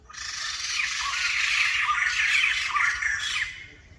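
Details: A White-crested laughingthrush, called a rare bird, bursts into a loud, harsh, dense chattering of rapid grating cackles. The outburst lasts about three seconds and then stops abruptly, with a faint low rumble behind it.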